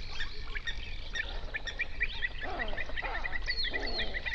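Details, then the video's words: A large flamingo flock on an Overberg national park lake, South Africa, in binaural sound. Short, clipped notes repeat quickly and evenly, with deeper grating honks mixed in toward the end and a steady low background hum. "Flamingo sounds"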